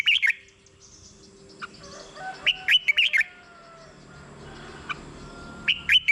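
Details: Red-whiskered bulbul song meant to lure or stimulate caged birds: brief warbled phrases at the start, middle and end, separated by quiet gaps with faint thin tones.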